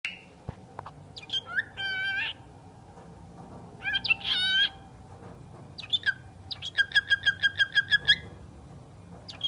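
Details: A talking bird utters bursts of harsh, voice-like syllables with stacked harmonics, then a fast run of about ten even, clipped notes near the end, against a quiet indoor background.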